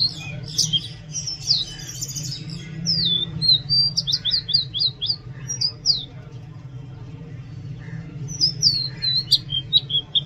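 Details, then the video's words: Oriental magpie-robin pouring out a loud song of sharp high whistled notes, a fast run of repeated downslurred syllables, then a pause before another bright burst; low hum throughout. "Oriental magpie robin Song | Oriental magpie-robin Sound | Oriental magpie-robin Call"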